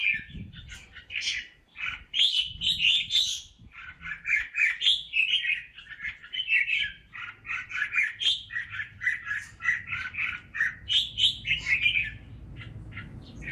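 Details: Red-whiskered bulbul at a bird farm in Ba Vì, Vietnam, delivering a long, lively run of rapid warbling notes, rich and bubbly, with only faint low background hum.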